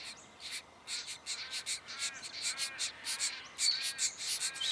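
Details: Diamond firetail recorded in Victoria, Australia, in November 2014: a dense, uneven run of short, harsh, nasal bursts, roughly two or three per second, with loudness rising and falling throughout.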